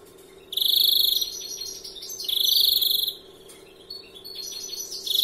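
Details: European greenfinch, young 'larguero' singer: two long, loud, fast-pulsed trills of nearly a second each, separated by brief twittering, with softer notes before a third trill starts.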